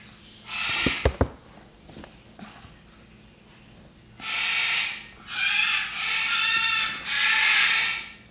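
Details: Two blue-and-yellow macaw nestlings, 25 and 27 days old, give four harsh, raspy squawks in the second half, each about a second long, after a few sharp knocks and handling sounds.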